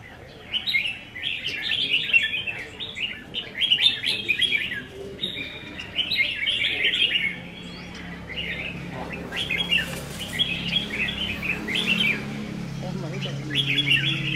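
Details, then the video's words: Caged red-whiskered bulbuls in a singing contest on 15 May 2021 trade lively warbled phrases about once a second. The song is choppy and bright, with a low steady hum and scattered background noise. "Chào Mào Đấu Giàn | Dợt Chim Chào Mào Đấu Hót"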